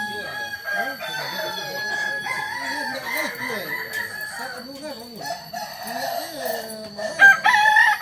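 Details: Kokok Balenggek rooster, a native chicken from Solok, West Sumatra, known for tiered crows of three to nineteen steps. A drawn-out crow with wavering notes overlaps lower, rippling sounds from other calls or voices.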